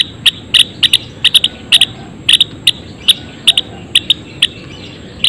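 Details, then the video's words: Java sparrows (gelatik belong, Padda oryzivora) in a colony cage: irregular high clicking chips, some in rapid pairs, others isolated, spread across five seconds with a low background hum. "Suara Kicauan Gelatik Belong Di Kandang Koloni!"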